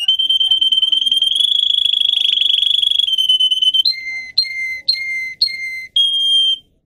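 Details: Russian canary, a song breed, sings for young canaries to learn. A high rolling trill rises slightly, then gives way to four separate whistled notes, each falling in two steps, and one final long pure whistle.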